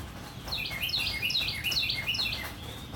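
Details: Rain falls steadily in the morning while a Northern cardinal repeats bright whistled notes that drop sharply in pitch, about seven in quick succession, each clear and ringing.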